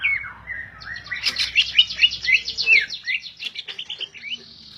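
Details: Greater green leafbird, a caged songbird, singing a rich run of rapid whistled and chattering notes, slurred phrases sliding between high and mid pitch, with a dense buzzy burst in the middle and a low hum behind.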